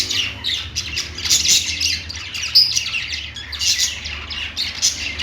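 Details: Pet budgerigars chirping on a perch: a rapid, twittering flow of squeaky, buzzy notes and occasional sharper squeaks, steady throughout, low hum in the background.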